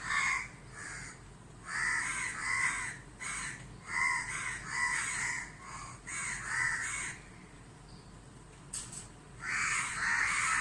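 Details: Several crows harass a barn owl that cannot see in the bright sunshine, near a home in Dhaka, Bangladesh. Rasping caws come in bursts, then a short lull, then a loud cluster of overlapping caws.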